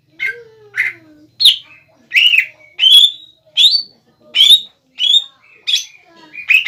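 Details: Greater green leafbird, a bahan cucak ijo, singing gacor to provoke another leafbird to call back: short rising whistled phrases about once every second, each a quick upward slur, with a faint lower sliding tone early on.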